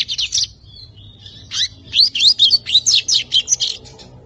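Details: Brown young lined seedeater aged five months rehearsing the Tui Tui zel zel song: an opening cluster of buzzy notes, a thin drawn whistle, then a fast sequence of sharp, high, slurred chips.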